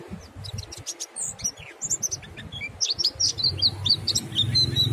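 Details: Mountain white-eye delivering ngalas song to set other white-eyes singing; scattered high chirps and short whistled slurs become a quicker warble at the close, with low background rumble.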